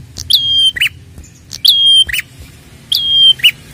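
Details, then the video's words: A red-headed prinia gives three sharp calls about every 1.3 seconds, each a high whistled note that drops and flattens, ending in a short buzzy chirp. "pancingan prenjak gacor ampuh merangsang bunyi prenjak bahan"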